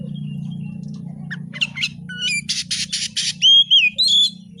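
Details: White-rumped shama giving scattered chirps, then a run of harsh buzzy bursts followed by clear rising and falling whistled notes, over a persistent low hum.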